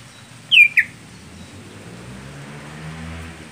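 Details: A greater green leafbird (Chloropsis sonnerati) kept as a contest songbird sings two sharp, high whistled notes that slide downward in quick succession, followed by quiet with a faint low hum.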